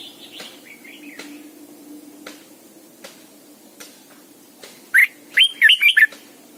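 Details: Red-whiskered bulbul used as a caged lure bird, singing morning double-note forest-style song for training: soft warbles early, then a loud burst of sharp whistled, rising-falling notes near the end.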